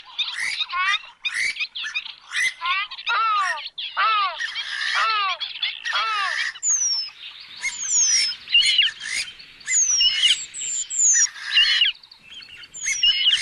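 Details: Oriental reed warbler delivering harsh, rapidly repeated croaking notes in the first half, followed by a busier mix with thin, high, descending whistles from other birds.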